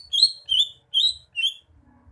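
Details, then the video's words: Greater green leafbird giving four clear, high, whistled chirps, each a short bending slur, spaced roughly every half second; faint low noise underneath. "Kicauan burung cucak hijau"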